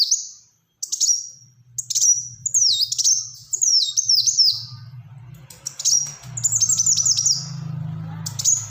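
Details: Black-throated sunbird singing in short, high chirping phrases of quick downslurred notes, over a low steady hum in the background.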